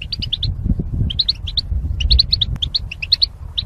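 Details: Caged goldfinches in mating pairs singing: clusters of rapid high chirps, three to five per burst, repeated through the recording, with low rumble underneath.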